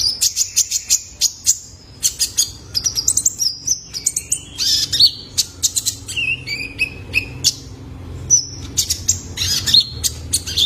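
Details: Lure recording of a juvenile male kolibri ninja (Ruby-cheeked Sunbird) for training cage birds: a long, busy stream of high chirps and twitters with brief sliding whistles throughout, barely pausing.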